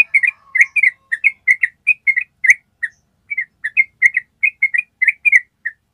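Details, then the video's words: Long ropel trill of a yellow-vented bulbul, used to train other birds: clear, bubbly whistled notes in quick pairs and short groups, repeated steadily without pause for six seconds in a quiet setting. "SUARA TRUCUK ROPEL PANJANG"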